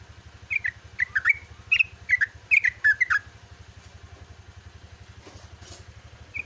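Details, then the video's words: Yellow-vented bulbul singing at dawn: a quick run of bubbly, warbling double notes for three seconds, then quiet with a faint high squeak and one last note, over steady engine hum. "TRUCUKAN GACOR ROPEL"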